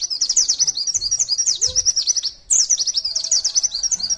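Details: White-eye (pleci) in Indonesia singing the long continuous 'nembak sejaluran panjang' style, used as a tutor recording for training other white-eyes: rapid high twittering trills in one long run, briefly breaking off midway, then resuming.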